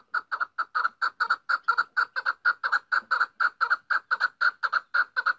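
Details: Female chukar partridge producing an unbroken, steady run of loud, clucking chuk notes, roughly two to three per second, with no other sounds.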